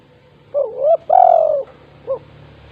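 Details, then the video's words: Gacor spotted dove (tekukur) in "kuk 2" style, used to coax reluctant doves into calling: a quick note, a rising hooted coo, a long sliding descending coo, then one short closing coo, with light background hum. "tekukur GACOR KUK 2 untuk pancingan tekukur malas bunyi"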